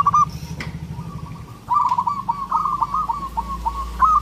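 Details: Local zebra dove (perkutut) calling for a mate: a brief coo, then a longer run of quick, bubbling staccato notes over a low steady hum.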